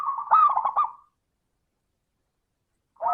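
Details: Zebra dove singing a 'crystal' voice lure meant to start other doves singing: a rapid bubbling trill of coos that ends in a held note, then silence before the next phrase begins.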